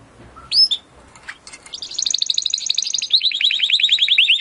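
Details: Timbrado canary singing, from an audio meant to train canaries to sing better: a few scattered chirps, then a fast even rolling trill that shifts into a series of rapid down-swept whistles.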